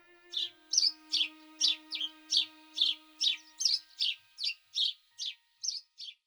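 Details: Eurasian tree sparrow (Passer montanus) in winter in central Russia, giving a steady series of short, bright chirps, about two each second.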